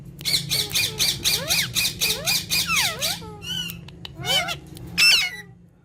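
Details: Green talking parrots together; a rapid run of about a dozen harsh, evenly spaced squawks, then a few swooping whistled calls and a loud final screech.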